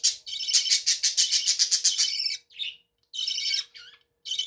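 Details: Captive budgerigars in their bird room: a rapid burst of pulsed, buzzy chatter, then harsh squawks and short warbled notes after a pause.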